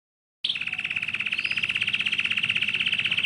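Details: Canary singing a long, tight rolling song used as a lure for young canaries learning to sing: a rapid, even trill of bright, high, buzzy notes pulsing many times per second without a break, over faint low background rumble.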